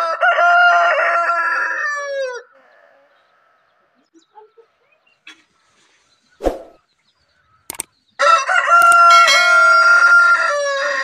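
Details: White rooster crowing: two loud, harmonic-rich crows, one at the start lasting about two seconds and another from eight seconds on, separated by a near-silent gap with a few faint clicks and taps.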